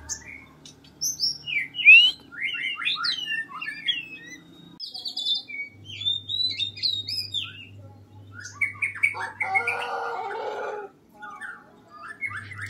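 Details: Oriental magpie-robin, an escaped bird, heard in the wild beside a house. A varied, fairly quiet string of chirps, quick slurred whistles and twittering, with a harsher chattering burst later. A low hum runs underneath.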